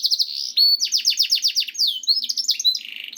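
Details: Canary singing, recorded as a lure to get canaries singing: a brief sharp high whistle, then rapid buzzy rolled notes, finishing with rougher, lower warbling phrases.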